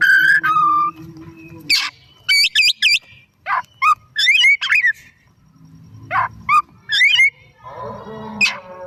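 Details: Oriental magpie-robin, afternoon song: a falling whistle, a quick trio of looping notes, then scattered sharp chirps and a rough chattering phrase at the end.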